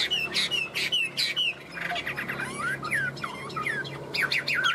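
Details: Tame Chinese hwamei with yellow legs and bill, kept as a cage bird, singing loudly: quick runs of clear downslurred whistles, then buzzy and rising-and-falling slurred phrases, with dense varied notes near the end, in a small indoor room.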